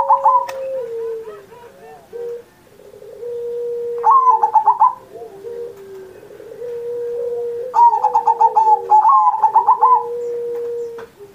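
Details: Zebra dove singing vigorously in Indonesia on Independence Day, a master recording meant to coax silent or learning pet doves into song: rapid staccato bursts of bright notes alternate with lower, drawn-out coos, three bursts in about eleven seconds.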